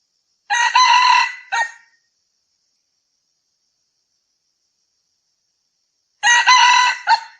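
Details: Red junglefowl, dated 6 February 2020, gives two full crows about six seconds apart. Each is a raspy, drawn-out phrase ending in a short separate note, with silence between.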